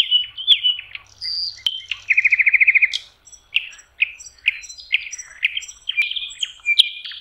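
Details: Nightingale by a lake in May: whistled opening notes, a fast even trill of about a dozen pulses, then a run of varied chirps and sharp clicks.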